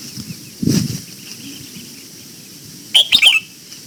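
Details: Red-whiskered bulbul singing in the morning during voice training for the old-forest double-note song. A low thump comes first, then one quick, bright phrase of clipped whistled notes.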